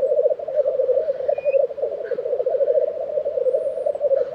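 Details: Unceasing low, gurgling bubbling from black grouse lekking in Tiveden, Sweden, in April 2023, accompanied by short hisses and one faint, high, thin whistle.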